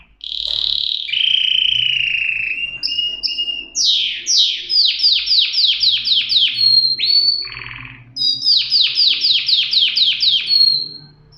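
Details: Canary song: long whistled notes, a rapid rolling series of sweeping notes, a brief raspy buzz, then another fast run of high trilled notes ending on a held whistle.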